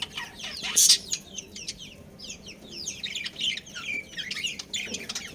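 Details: Budgies from a breeding pair give a loud burst of noise early on, then a string of fast, bright, downward-sweeping chirps and twitters.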